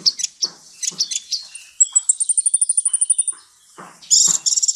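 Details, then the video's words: Sunbird of the 'ninja' type singing a tutor song for magpie-robins and shamas: scattered high chips give way to an even, rapid, ringing trill, followed by a burst of dense high chatter; soft clicks run underneath. "Kolibri masteran full isian"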